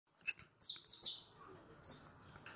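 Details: White leucistic European goldfinch: a few bright, high twittering notes in short bursts separated by brief gaps, over a faint background hiss.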